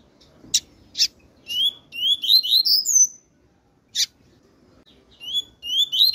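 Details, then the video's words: Female double-collared seedeater calling: a run of thin, high whistled notes, some slurred and rising, in quick uneven series, broken by sharp clicking taps; quiet low rumble underneath. "COLEIRO TUI TUI FÊMEA PIANDO"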